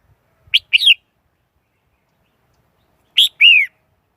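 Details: Lure song of a Red-whiskered bulbul for catching wild birds: two short phrases, each a quick chip followed by a slurred, whistled note that rises then falls, separated by a long gap.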